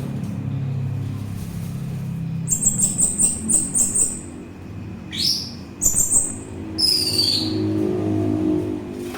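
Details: Orange-headed thrush used as a lure and for relaxation: a fast series of about ten high, ringing repeated notes, then steeply rising whistles and a falling slurred phrase over a low background hum.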